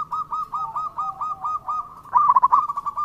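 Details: Local zebra dove singing as a lure for other doves: a steady series of soft, evenly spaced coo notes, then a louder rolling, stuttering coo phrase near the end.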